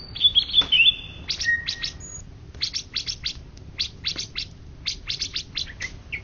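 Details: Greater green leafbird, an Indonesian champion of 2013–2014, opening with a steady high whistle and trills, then a long series of quick dry clicking notes.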